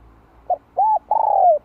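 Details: Low mellow cooing of a decoy spotted dove, "2 hậu lỡ" style, meant to stir newly caught birds: a brief note, a rounded arched coo, then a longer vibrating coo that slowly falls.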